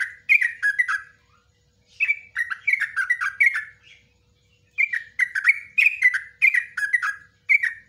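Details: Yellow-vented bulbul giving nguklik ngecruk ropelan song for training cage birds: several runs of short, gurgling, downslurred notes separated by brief pauses.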